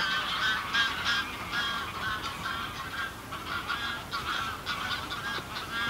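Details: Greylag geese in a small flock on the ground, heard at medium distance: continuous chatter of short nasal honks, about three per second, overlapping voices, with a low rumbling background.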